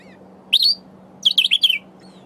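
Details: A Sombre Greenbul foraging for berries and singing to itself gives its wheezing call: one rising, wheezy note, then a quick burst of four strained, slightly buzzy notes, over a faint low hum.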